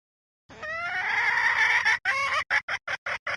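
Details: Red junglefowl hen call used as a decoy lure, 2024 season: one drawn-out harmonic, slightly wavering note lasting about a second and a half, then a quick run of six short, sharp clucks.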